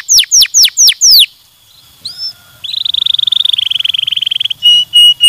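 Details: Canary in stimulating song: quick falling whistled notes, a brief pause, then a sustained buzzy rolled trill and two short pure whistles.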